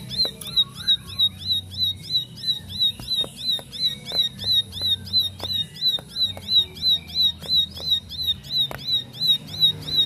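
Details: Bar-winged prinia, a previously silent bird that answers at once and joins in with rapid 'nembak' song: high, sharp notes near the top of hearing, repeated about three times a second in an even series, with low background rumble and faint clicks.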